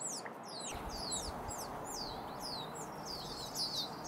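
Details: A group of wild turkey chicks in the Sierra foothills, California, calling continuously: many overlapping high, falling peeps with no pauses, over a fairly loud rustling, broadband outdoor background.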